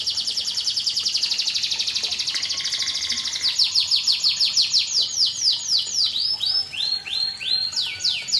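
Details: Canary singing: a long fast high trill of rapidly repeated notes, shifting into slower series of sweeping downslurred whistles repeated several times per second, with other phrases layered in.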